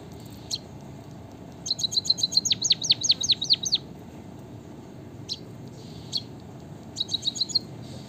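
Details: A white-headed munia (bondol haji) delivers a phrase of rapid high ticks blending into repeated downward-sweeping whistles, followed by isolated clicks and a short ticking run.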